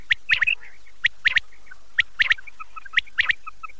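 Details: Common quail calling, a sound meant for the Chand Raat night: sharp three-note phrases, each a quick burst of clipped notes, repeated roughly once a second with brief quiet gaps and faint chirps between.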